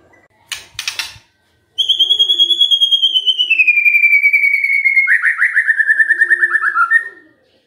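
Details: White-rumped shama lure song to make other birds sing: after two brief noisy bursts, one long buzzy trill slides slowly downward for about five seconds.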